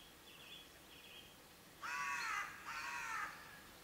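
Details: Two loud, rasping raven caws in quick succession, each drawn out and slightly falling, after a faint high whistle earlier in the quiet background.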